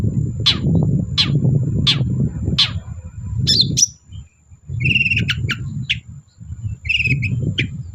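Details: Long-tailed shrike singing energetically, used as a lure to coax silent shrikes into song: four steep, sharp downward-sliding notes about every 0.7 seconds, then a short pause and harsh, scratchy chattering notes over a constant low rumble.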